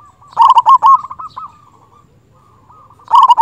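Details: Local zebra dove singing loudly in an agitated mood to call a rival: a rapid burst of short cooing notes near one pitch, a softer trailing coo, a pause, then another quick burst of rolling notes.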